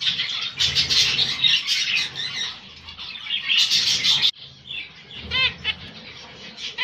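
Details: Moroccan grey eumo zebra finches: thick chorus of nasal chirps, then a brief lull before a few clearer, rapidly repeated trumpet-like beeps stand out, with wingbeats and light background chatter.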